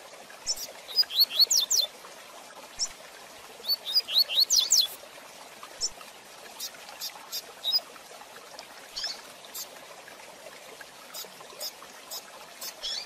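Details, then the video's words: Training recording of a rusty-collared seedeater singing the fast 'tui tui zel zel de fibra' style for young birds to learn: two energetic bursts of high, sharp slurred whistles, followed by scattered clicks and chips amid steady background hiss. "Tui Tui Zel Zel de Fibra Canato Rápido Para Treinamento e Encarte - Coleiro"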